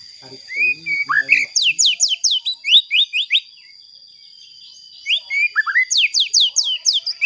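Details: White-rumped shama song to provoke other shamas, bursts of quick sharply falling whistles repeated in fast runs, a pause, then another run, over a steady high tone.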